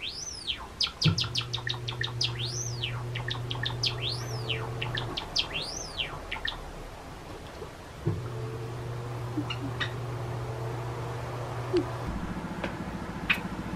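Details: Two three-and-a-half-year-old male Java sparrows, a cinnamon-type and a sesame-type, sing a rapid string of high clicks and looping bell-like notes over an indoor machinery hum; the younger copies the elder's self-made song, slightly higher.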